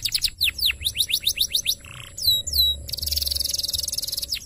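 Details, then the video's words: Canary song used for training: quick falling whistled sweeps, a short buzzy burst, two swooping high whistles, then a sustained rapid buzzing trill; faint steady hum beneath. "MASTERAN KENARI GACOR"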